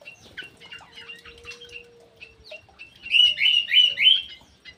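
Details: Captive ground thrush singing actively in an aviary: soft, varied twitters and a long low hum, then a loud run of rolling, warbled whistled notes near the end.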